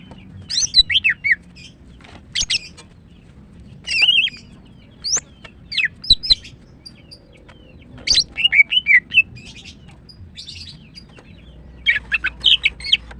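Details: Caged female greater green leafbird singing in the morning: varied high chirps, swooping whistles and rapid squeaky trills in short bursts separated by brief pauses, the phrases growing busier toward the end.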